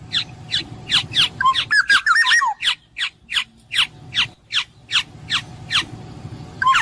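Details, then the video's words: Black-naped oriole, called kepodang emas, giving a clear song: a rapid, fluty, warbled phrase in the middle, surrounded by sharp, downward-sweeping notes repeated about every half second. "suara burung kepodang emas jernih"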